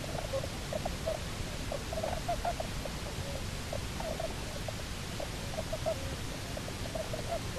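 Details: On Nonsuch Island, October 29, 2018, a live camera records the returned Bermuda petrel pair: continuous fast chattering, clicking notes in irregular runs, with steady background noise.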